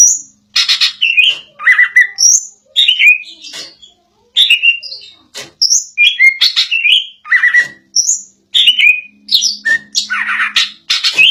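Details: Greater green leafbird in forceful 'ngotot' song, pouring out sharp chirps, downward whistles and clipped notes in rapid clusters separated by short gaps, with a faint low hum in the background.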